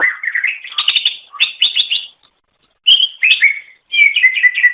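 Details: Greater green leafbird (cucak ijo) song used to lure others of its kind: rich slurred whistles sweeping upward into rapid repeated bright notes, a brief silence, then more warbling phrases dropping in pitch.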